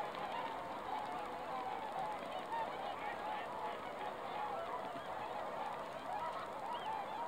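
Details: A swan flock on a misty lake, December 20, 2016, keeping up a steady wash of honking calls, individual trumpet-like notes repeating irregularly within the dense chorus.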